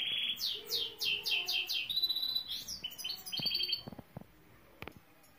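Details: Saira canary sings loud downslurred repeated notes followed by quicker high trills, then falls quiet; a few clicks and taps are heard near the end.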